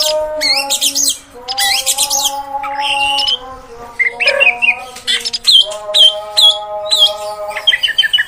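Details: Oriental magpie-robin female, played to make males agitated and sing longer: harsh buzzy bursts, then a run of clear slurred whistles repeated roughly twice a second, over a constant low hum.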